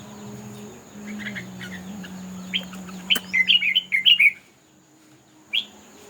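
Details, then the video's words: Red-whiskered bulbul singing in a contest, a quick run of five or six loud warbling whistled notes after soft chatter, then a pause and a single closing note; a steady high hum and low murmur underneath. "Chim Chào Mào Hót Đấu"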